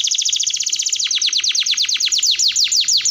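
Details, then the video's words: Canary singing continuously as a lure and tutor recording: bright, rapidly repeated downward-sweeping whistles, shifting from tight rolling notes to slightly slower, deeper slurred sweeps. "Pancingan KENARI Gacor Panjang || Suara MASTERAN KENARI"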